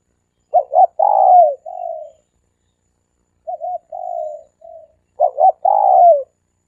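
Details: For luring, a dove gives three-coo phrases: two quick clipped notes, a long downslurred coo and a softer tail note. The phrase is repeated three times with brief pauses.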